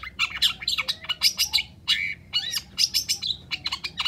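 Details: Long-tailed shrike (cendet) in full gacor song, used as a lure for shrikes reluctant to sing: a fast, dense run of harsh scratchy notes mixed with sharp whistled slurs and short chattering bursts, with no pauses.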